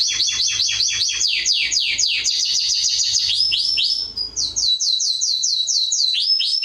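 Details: Canary song meant for teaching young birds: rows of fast downward-swept whistles repeated several times a second, a brief pause, then another rapid series of bright rising notes.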